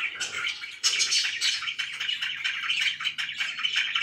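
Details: Pet budgerigars in a happy mood keep up a dense, buzzy warble of chirps, with a faint low hum running underneath.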